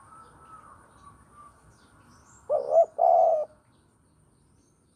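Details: Javan spotted dove recorded as a trapping lure: a faint high whistle from another bird comes first, then the dove's short rising coo and a longer, level, hoarse coo. The phrase begins again at the end.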